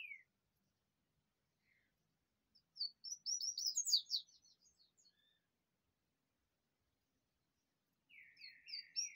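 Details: Double-collared seedeater singing a rachinha-style song during sun exposure: a burst of rapid, high, sharp twittering notes lasting about three seconds, then silence, then a new phrase of buzzy slurred notes. The surroundings are quiet.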